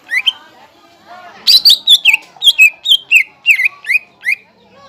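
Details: Lure song of a greater green leafbird meant to excite other leafbirds: two opening whistles, then a fast string of loud, sharp, downslurred whistled notes repeated roughly three times a second, ending in spaced calls.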